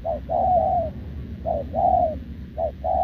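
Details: Wild-caught, short-legged spotted dove cooing continuously beside a decoy bird: a short note followed by a longer, gently falling coo, in repeated pairs, over a low rumbling background.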